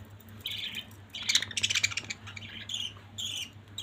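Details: Budgerigars kept as a family of pets chatter with a burst of rapid clicking chirps between softer raspy notes, somewhat quieter against a background hum.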